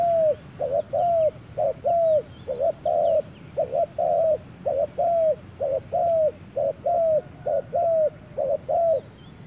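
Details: Spotted dove out in the forest, giving an unbroken run of low cooing notes in repeated groups of short coos followed by a longer falling coo, a thin high chirping from other birds in the background.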